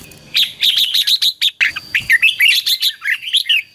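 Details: Red-whiskered bulbul singing to lure wild birds and stir a decoy bird: dense lively chattering and whistled notes in quick succession, sweeping up and down, with a faint continuous hum.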